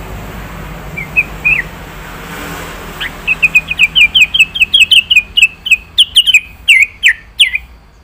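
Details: Yellow-vented bulbul in 'gacor' song full of varied phrases: after a few soft chirps, a long, loud run of crisp, downward-hooked whistled notes repeats about two to three times per second.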